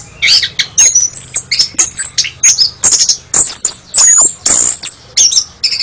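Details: Contest-winning kacer singing loud, very high piercing whistles and buzzy trills, bursts of rapid notes separated by short gaps, including long drawn whistled tones, clear recording with slight low hum.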